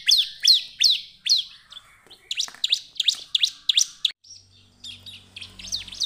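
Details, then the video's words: Ciblek, the Bar-winged prinia, in lively lure song meant to prompt other birds to sing: a run of steep downward-sweeping chirps, then a softer scattered stretch of twittering notes with a faint low hum. "SUARA CIBLEK GACOR PALING AMPUH ATASI CIBLEK LAIN IKUT GACOR ‼️ PANCINGAN CIBLEK"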